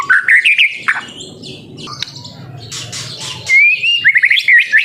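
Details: Young white-rumped shama song used as a lure to prompt other birds to sing: loud, varied whistled phrases with quick rising and falling notes, a short pause of softer sound mid-clip, then a bright run of trilled whistles.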